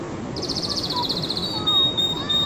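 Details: Canary singing a brief high rapid trill that slides into a thin level whistle, against constant low-pitched background noise.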